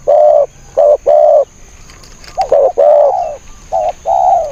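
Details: Spotted dove used as a decoy to attract wild birds: bursts of hollow cooing, a short note then longer drawn coos, with a stuttered double note and uneven pauses between phrases.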